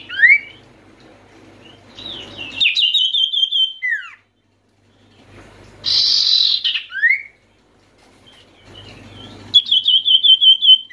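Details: Oriental white-eye, known as sirtu, calling to prompt reluctant birds to sing: high trilled whistles sliding down, a loud hissing burst, then a falling slur and another fast trill, with abrupt silent gaps.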